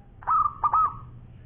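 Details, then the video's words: Local zebra dove singing strongly, a champion long-voice bird. A crisp three-part cooing phrase: a firm first note, a brief pause, then a double note drawn out into a long, even coo. "Bunyi Perkutut Lokal Gacor Suara Panjang Juara"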